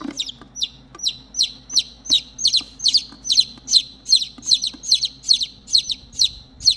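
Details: Lost chicks, three of them, cry for their missing mother with rapid, insistent high peeps that slide downward, overlapping slightly and repeating about every half second.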